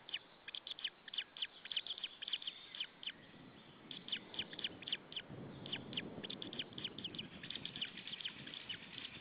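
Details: Male wild white-tailed eagle shouting at its nest in Saunja, Estonia, on an April evening as another white-tailed eagle arrives; rapid bursts of sharp, high yelping notes, a brief lull midway, then more yelps over steady background hiss.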